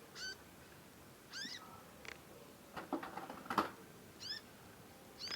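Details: Young conin bird practising its song, calling repeatedly. It gives harmonic down-slurred chirps spaced a second or more apart, with a cluster of clicks and knocks in the middle.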